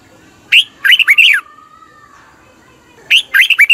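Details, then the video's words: Red-whiskered bulbul singing, played to rouse caged birds; short cheerful phrases of rapid slurred whistles, repeated after a two-second pause, with a faint steady tone between them. "เสียงนกกรงหัวจุก สำหรับต่อ หรือ เปิดให้นกคึก"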